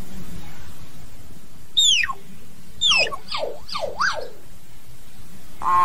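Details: A common hill myna, singing and calling to its flock, gives a loud, piercing downslurred whistle, then a fast run of swooping up-and-down whistles, over a low background hum.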